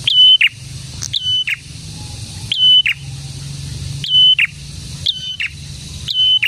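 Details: Prinia song used to attract prinias and coax mute birds into answering; high steady whistles, each opened by a quick upward flick and closed with a harsh descending burr, repeated several times in close succession.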